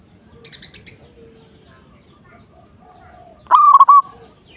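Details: Zebra dove singing to provoke a rival: quiet at first with faint distant chirps and soft whistles, then a short, loud, rolling coo phrase of a few rapid stuttered notes at the end.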